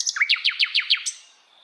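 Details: Flycatcher singing in wild forest: a short rising whistle, then about six quick, bright notes that each slide steeply downward, evenly spaced, before a final high note fades away.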